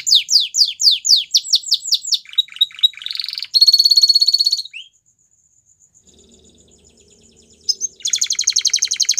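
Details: Belgian canary singing, used as training to make canaries sing again: steep descending sweeps repeated quickly, a buzzy rattle, a pause with faint low sound, then a fast high trill.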